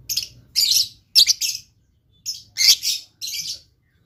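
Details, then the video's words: Blue lovebird singing busily, pouring out rapid, harsh, high-pitched chattering bursts of about half a second each, some doubled, with brief silent gaps between them, in a quiet indoor setting. "LOVE BIRD GACOR"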